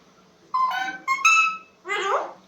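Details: Talking pet parrot indoors, imitating speech such as "hello": two bright, nasal, harmonic-rich utterances followed by a harsher, rasping word, with a faint low hum underneath.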